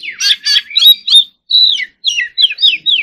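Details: Oriental magpie-robin delivering a short burst of song: harsh rattling notes at first, then a series of clear downslurred whistles, sweet and high, separated by brief pauses.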